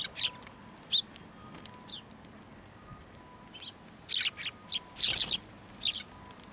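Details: Sparrows flying to a hand for food at a shrine (Tenmangu), winter 2023. Scattered single high chirps come every second or so, bunching into a quick series midway, over a faint steady hum.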